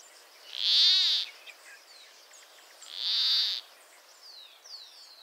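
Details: In Northern Peru, an endangered Peruvian plantcutter utters two loud, grating, nasal bleats about two and a half seconds apart, each lasting around half a second, followed by soft, high downslurred chirps from other birds.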